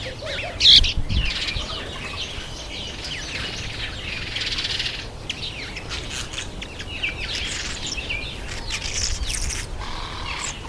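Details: Masked weavers in breeding season, September to October: dense buzzy, rustling chatter and scratchy chirps from several birds, with a louder chirp near the start and constant overlapping twitters throughout.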